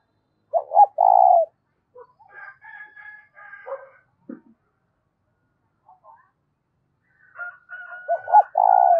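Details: A loud spotted dove coo, used for rousing decoy doves, opens with a stuttered note and a long hollow tone. A higher, drawn-out call from another bird fills the middle, and the dove's coo returns at the end.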